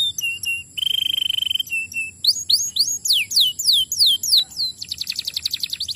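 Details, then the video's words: Canary song aimed at getting other canaries singing: short whistles, a one-second buzzy trill, then a burst of steep descending whistles and a closing rapid high rattle. "estimula rapidamente o som do material canário"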